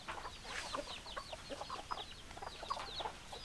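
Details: Flock of chickens, hens clucking: a busy chorus of high downslurred peeps over soft clucks from many birds, steady and unbroken throughout.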